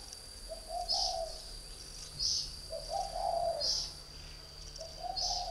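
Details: Spotted dove in a cage, a northern Vietnamese decoy bird of three years, delivering three unhurried mellow cooing phrases roughly two seconds apart, punctuated by bright high chirps over a steady faint whine.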